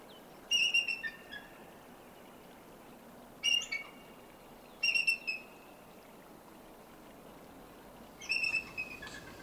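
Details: A female eagle perched in a tree close to a lake gives four bursts of thin, high, whistled chattering notes, each series stepping down in pitch, spaced a few seconds apart over a quiet background.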